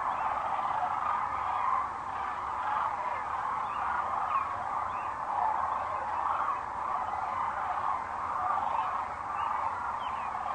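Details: At sunset on April 4, 2013, many sandhill cranes fly in to roost at Rowe Sanctuary in Gibbon, Nebraska, filling the air with a steady, unbroken wall of rattling, bugling calls that swells and fades gently.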